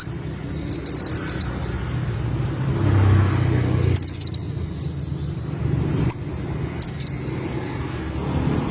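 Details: Song of an olive-backed sunbird (konin): a fast shrill trill, then after a pause further high buzzy trills and a sharp chip, with soft low background noise.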